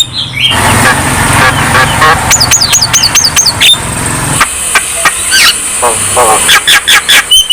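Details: Javan myna song for stirring lazy birds to sing: a quick run of repeated looping whistles, harsh notes, then sharp clicky calls, against traffic and motorcycle noise in the background.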